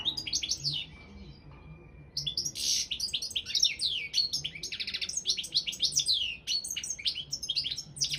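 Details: European goldfinch, subspecies balcanica, singing for an online world championship run by a Serbian association: after a brief pause, a long, continuous stream of fast, sweet twitters and slurred high notes with some buzzy, rattling elements.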